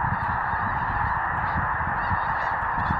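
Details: Snow geese in a big autumn feeding flock on grain fields near Outlook, Saskatchewan, producing an unbroken wall of overlapping nasal honking, steady in loudness, with low rumble beneath.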